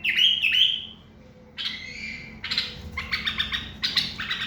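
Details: Common bulbul giving a short run of song: a bright whistled phrase, then a pause, then rough chattering notes and repeated fluty chirps, against a soft background hum.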